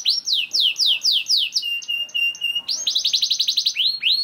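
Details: Canary song for prompting other canaries to sing, with repeated downward-slurred whistles, a held pure level tone with pulses above, then a quick rattling trill and rising chirps.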